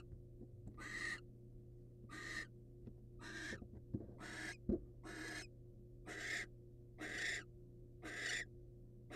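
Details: Male barn owl delivering prey to his mate in the wild, accompanied by nine harsh hissing screeches at about one-second intervals, plus a few light taps and a knock.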